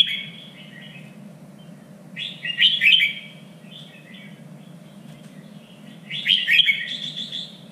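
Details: Red-whiskered bulbul song used to train birds for singing contests, in the standard three-region voice: two bright, warbled bursts of slurred whistles about four seconds apart, over a steady low hum.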